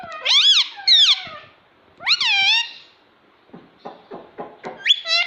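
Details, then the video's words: A pet green ring-necked parrot kept indoors gives loud rising-and-falling whistled squawks in three bursts, then softer clipped chattering syllables and more sharp whistles at the end. "Talking parrot - Mummy Mummy Bolne Wala Tota"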